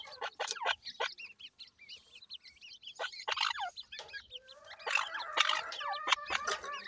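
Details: Young grey francolins in a breeding setup give high, wavering chirps in bursts, a quieter gap midway, then a denser, louder run of peeps near the end.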